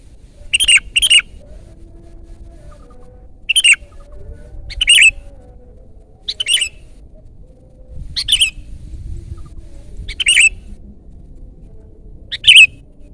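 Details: Loud, energetic song of a Sooty-headed bulbul: short sharp whistled double and single phrases recur every one to two seconds in a quiet setting.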